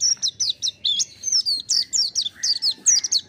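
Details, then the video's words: Mountain white-eye in lively song: dense high twittering made of quick downslurred chips, with a few lower buzzy notes mixed in toward the end, delivered almost without pause. "kicau burung pleci montanus gacor"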